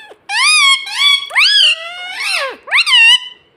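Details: Pet parrot talking in a room, a bird that says mummy and papa; a continuous chain of five strident, harmonic word-like syllables, some gliding sharply downward, ending on a bright rising note.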